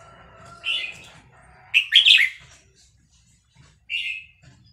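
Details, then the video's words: Vietnamese red-whiskered bulbul roused by a played recording of newly hatched chicks sings fast, bright phrases: a short warble, a loud rapid burst, then a single clear whistled note after a pause. "นกกรงหัวจุกเวียดนาม ต่อดอกเร็ว เปิดยั้วลูกนกฟักแล้วคึกร้องตาม"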